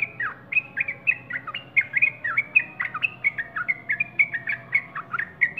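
A Yellow-vented Bulbul gives a lively run of bright, bubbly chirps, each note sliding downward, repeated two or three times a second with no break.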